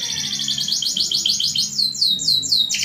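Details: Canary in long, vigorous song, meant to set other canaries singing: high, fast rolling trills of repeated notes, shifting into sweeping slurred notes near the end, over a low droning tonal background.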